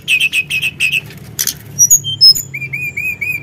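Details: Sunda blue robin singing energetically as a provoking recording: a steady series of repeated mid-pitched notes, a brief noisy flutter, then scattered high thin whistles and a rhythmic row of short clear slurred notes.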